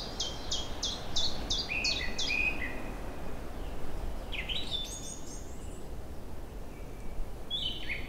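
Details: A chorus of newly arrived songbirds in forest and meadows on a fine April day in early spring, with the river freshly free of ice. A fast run of about eight bright chips drops lower at the end, then scattered high twittering phrases over a steady low rumble.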